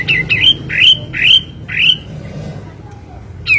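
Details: Kapas tembak phrase used as master and lure: four loud upslurred squeaky whistles about every four tenths of a second, a quiet gap with faint low sounds, then a new whistle beginning.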